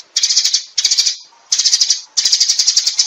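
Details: Sparrows calling to gather the flock: four bursts of rapid, high, twittering chirps, each about half a second long, with brief pauses between them.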